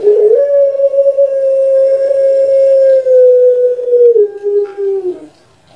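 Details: Pet puter pelung dove, a Javanese long-cooing breed, in a training recording: one very long even coo of about four seconds that steps down to a lower held tone before fading, indoors.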